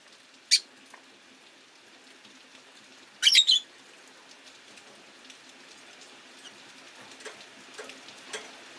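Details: Rosy-faced lovebirds, five caged birds by a window on a rainy day, jostling for perch position; one sharp chirp, then a quick double chirp, with steady rain patter and faint ticking throughout.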